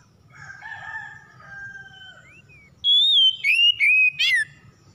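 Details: Oriental magpie-robin lure song for stalled birds: soft, low warbling at first, then four loud, clear whistled phrases, the first long and gently falling, the rest short and buzzy.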